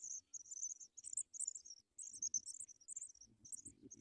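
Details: Nestling Paddyfield pipits calling for food as an adult feeds them: a rapid run of shrill, high wavering squeaks with brief pauses, soft scuffling and rustle in the nest below.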